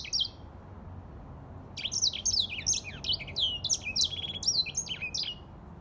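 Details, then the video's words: Grey singing finch singing: after a brief opening note, a lively run of high, rapid twittering phrases with sweeping, slurred notes rises into a dense warble over faint low background hum. "تغريد ياسمين رصاصي افريقي"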